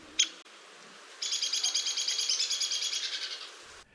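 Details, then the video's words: A Ladder-backed Woodpecker in a spring Arizona desert backyard gives a single sharp high "peek", then a fast descending rattle of about twelve notes over two and a half seconds, fading. "Ladder-backed Woodpeckers give a sharp “peek” call, that they combine into a descending rattle."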